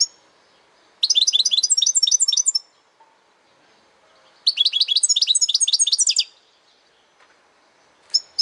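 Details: European goldfinch song: two fast, tinkling trilled bursts of high twittering notes, each lasting about one and a half seconds, with a few isolated chirps between and after them in otherwise quiet surroundings.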